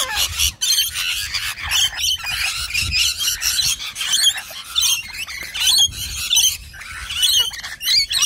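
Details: Rainbow lorikeets, a pair behaving boldly and aggressively, let out loud raspy squawks and shrill screeches, dense and almost continuous, broken by brief pauses roughly every second.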